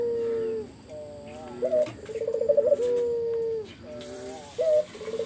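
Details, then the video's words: Lure song of a spotted dove, a full 'gacor' delivery meant to make other doves call back; low mellow coos and a trembling rolled note sliding into a long level coo, repeated twice, with a faint background hiss. "Burung puter mana yang ga ikut nyaut kalo dengar GACORAN puter ini"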